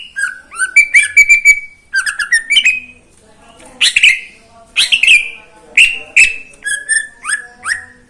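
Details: Caged greater green leafbird in full morning song, singing without stopping: fast strings of short whistled notes alternating between two pitches, followed by loud downslurred calls and varied chirps.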